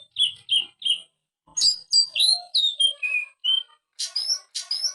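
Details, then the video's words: Greater green leafbird singing a lively, varied song meant as a master recording for training birds: clear whistled notes, slurred downward phrases and short harsh chattering bursts following rapidly with short gaps. "Kicau Suara Cucak Ijo Gacor Ngentrok Full Isian "Masteran""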